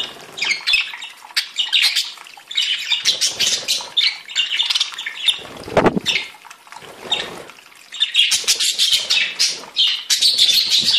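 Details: Various budgerigars from a breeder's flock warbling in busy overlapping chatter, interrupted by loud wing flapping and a low thump near the middle, chirping resuming after.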